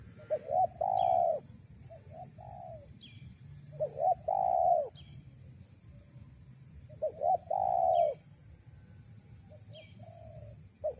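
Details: Lure call of a spotted dove for attracting wild doves, a phrase of two quick coos then a long falling coo repeated about every three seconds, quieter answering coos and faint high chirps from another bird.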